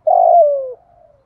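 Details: A single spotted dove coo, used as a lure call for wild doves, with a steady low hoot that slides down into a long falling tail.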